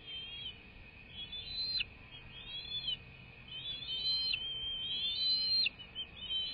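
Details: American bald eagles at their nest, recorded by a live nest cam on 21 March 2024 at 08:45. High, thin whistled notes sweep up and down in a rapid chittering series, repeated over a steady hum.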